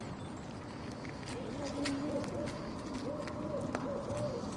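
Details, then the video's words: Barred Owls hooting and calling, seen over several minutes, give low, wavering "who cooks for you" hoots in a loose series of rising and falling notes over a steady background hiss. "Anybody ever hear a barred owl? I love their sound. Let's listen."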